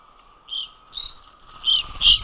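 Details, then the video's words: A noisy, frenzied flock of Evening Grosbeaks foraging and battling for position at an Ontario feeder on 13 December 2021 in winter gives four loud, burry, clipped notes, spaced irregularly over two seconds, over a faint hum. "Noisy Evening Grosbeaks"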